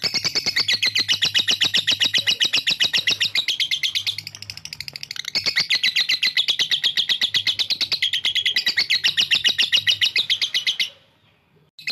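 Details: Lovebird delivering a long ngekek trill meant to provoke rivals, a dense, rapid, high chattering run lasting about eleven seconds with a brief dip midway, stopping abruptly into silence.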